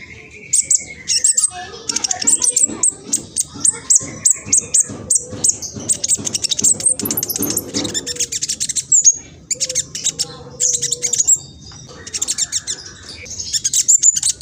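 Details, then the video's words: Black sunbird (king konin), a spotted-plumaged juvenile, from East Java, Indonesia, recorded on a phone as a lure to provoke rival birds. Fast, scratchy, high-pitched chattering song of rapid ticks and short trills, with faint lower warbles. "PANCINGAN KING KONIN TROTOL AMPUH BUAT KING KONIN LAIN CEPAT BUNYI"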